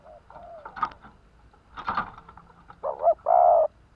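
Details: Spotted dove, a Vietnamese caged decoy bird tested before purchase, used to lure wild doves: scattered knocks and rustles, then two short, low, hollow coos and one longer coo at the end.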